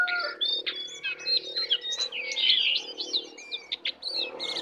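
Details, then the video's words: Wild jongkangan (brown cingcoang) coming in aggressively: an unbroken warble of high twisting whistles and rapid trills over a faint low hum. "Jongkangan/cingcoang coklat Liar Datang Menyerang"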